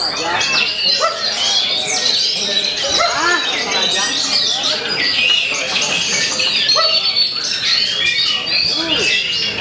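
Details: Kacer, an Oriental magpie-robin, pours out long rolling material that copies the white-rumped shama while answering rivals: nonstop, crowded high twittering and whistled slurs, with lower chattering voices beneath.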